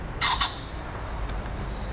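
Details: A common pheasant in a zoo crows from a tree on 18 November 2020, giving two harsh, explosive, closely spaced notes. Faint background noise follows.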